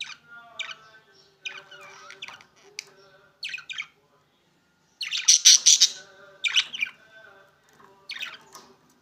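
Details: Opaline green and opaline blue budgerigars chattering: bursts of sharp, high chirps and squawky warbles in irregular clusters, a loud dense flurry midway, with short silent pauses between bouts.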